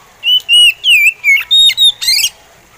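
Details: Oriental magpie robin giving a slow song: six clear whistled notes in steady succession, the first held level, then slurred downward notes, ending in a harsher rising buzzy phrase, against a quiet background.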